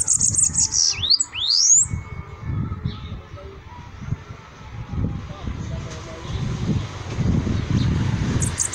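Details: A bananaquit opens with a quick series of high thin ticks and two sliding whistles. People talk over low rumbling background noise for the rest of the recording.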